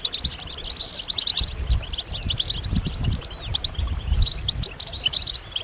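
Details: Several European goldfinches give mating and readiness calls: busy, high twittering with quick buzzy trills and tinkling chirps throughout, over steady low-pitched rumbling noise.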